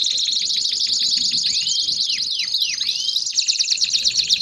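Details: Canary song in the 'baderna' style, played to warm up and stimulate other canaries: a dense, rapid run of high chattering notes, broken midway by several clear downward-swooping whistles, then a fast, buzzy trill.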